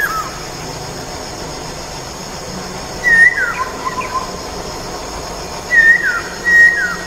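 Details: Masked laughingthrush lure call, natural recording: loud clear whistled notes, several sliding downward, given in two bursts a few seconds apart over steady background hiss.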